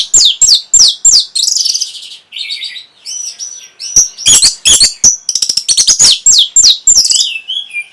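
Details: Orange-headed thrush song used to stimulate breeding arousal and prompt a reply: a fast, varied run of sharp high chips, slurred whistles and buzzy trills, with loud clipped notes in bursts and short pauses.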